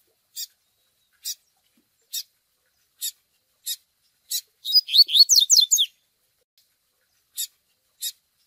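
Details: Begging chick of double-collared seedeater with Tui Tui Zel Zel song, for training a male: regular high chirps roughly every second, broken midway by a dense flurry of quick swooping whistles, then chirps resume.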